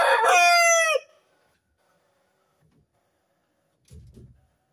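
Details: Rooster crowing before first light on a cool morning: one loud, harmonic-rich crow lasting about a second, ending in a falling drawn-out note, followed by quiet and a brief low rustle.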